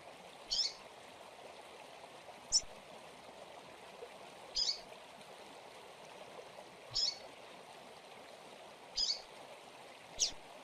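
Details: Double-collared seedeater, a domestic bird in Brazil, in Tui Tui style: single sharp high notes repeated about every two seconds, six in all, over a steady rushing hiss.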